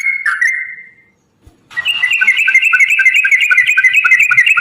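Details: Yellow-vented bulbul song used as a lure: a short whistled phrase, a brief pause, then a long rapid rolling trill of bright repeated notes running steadily to the end.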